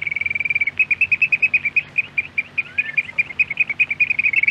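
Eurasian oystercatcher giving a rapid run of shrill, piping notes, racing at first, then steadying to about four per second, with a brief slurred whistle partway through.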